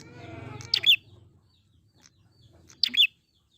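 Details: Wild prinia, used as a lure to make birds sing. Two short, sharp, high chirps about two seconds apart follow a low hum at the start.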